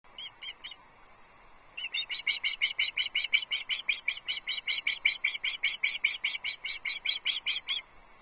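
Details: Osprey family at the nest at Loch Arkaig, 3 July 2022, early morning as a fish is delivered: a few high chirps, a pause, then a long steady series of piping, slightly buzzy calls about two or three per second over soft background noise.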